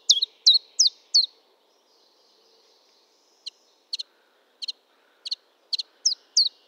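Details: [['Four bright, high chiffchaff song notes, a short gap, then soft double chirps that gradually return to the sharp hooked notes, with a faint hum underneath.']]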